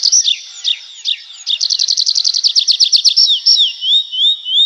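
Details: Nightingale song: a few spaced falling notes, then a fast rattling run of around fifteen crisp notes, finishing with smooth whistled notes gliding downward.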